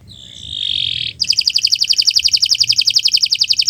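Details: Canary singing in a training recording to make other birds sing: a drawn-out buzzy whistled note for about a second, then a fast, even trill of sharp high notes repeating roughly twelve times per second to the end.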